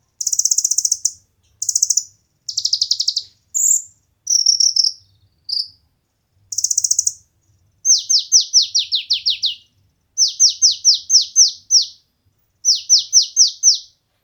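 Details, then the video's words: Brown-throated sunbird (kolibri ninja) competition song used as training material for captive birds: buzzy high chattering bursts alternating with fast runs of sharp downslurred notes, delivered in bursts about every two seconds. "konin materi burung lomba cocok untuk masteran dan pancingan burung kesayangan"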